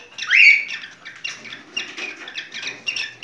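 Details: Cockatiel singing in a mating context: one loud rising whistled note opens, followed by a run of rapid, softer chattering chirps repeated about every quarter second.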